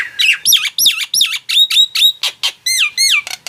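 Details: Nias hill myna singing in a rapid run of loud, ringing notes, each a sharp whistle swooping down then back up, repeated about four times a second with brief gaps; a recording meant to prompt silent mynas into song.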